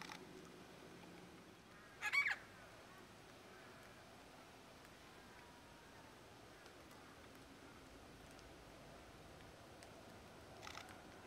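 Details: Pink (Major Mitchell's) cockatoo feeding on Aleppo pine cones in the Mallee at Patchewollock, Victoria, giving two brief, harsh, quavering calls, one near the start and a fainter one near the end, separated by quiet background hiss.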